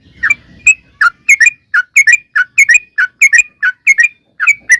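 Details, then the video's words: Sooty-headed bulbul singing briskly, used to provoke birds into answering: doubled and tripled bubbly whistled notes, slurring downward, repeated at an even pace with short gaps. "trucukan gacor NGALAS ROPEL PANJANG"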